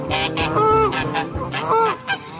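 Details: Pond ducks being fed on a morning outing give two loud, nasal, slightly rising quacks about a second apart, over background music and a muffled murmur.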